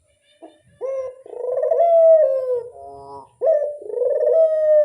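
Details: Dove lure call used to draw in wild doves, a few drawn-out, rich harmonic coos that swell and then slide gently downward, the second phrase starting abruptly after a short silence.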